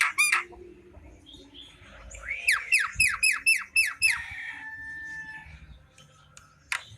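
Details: Javan myna singing in the afternoon, a burst of harsh notes followed by a rapid series of about seven falling whistled notes with sharp clicks, then a plain steady tone.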